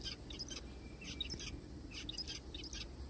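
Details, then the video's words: Zebra finches in a forest giving short nasal, buzzy calls in quick irregular succession, several notes per second, over a steady low rumbling hum. "zebra finches sounds"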